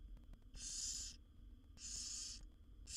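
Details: Barn owl young, seven wild owlets in a nest box, beg while their mother feeds them: harsh breathy hissing screeches, two long bursts and the start of a third, over a low rumbling background.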